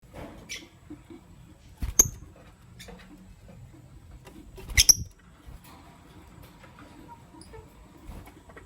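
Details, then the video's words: Caged lovebirds, a green Personata and a pastel white bird, in the morning; two sharp, high chirps about three seconds apart over a quiet room with faint low rumble. "Relaxing Lovebird Chirping Sounds"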